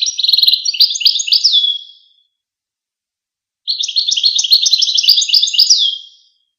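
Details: Goldfinch singing two dense phrases of about two seconds each, separated by a pause. Each phrase is a buzzy, rapid jumble of high twittering notes that ends in a clear downward slur.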